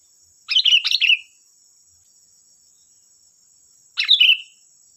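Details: Sooty-headed bulbul singing vigorously, used as a lure to make other bulbuls answer: two bubbly, warbled phrases of quick descending notes about three seconds apart, over a steady high-pitched hum.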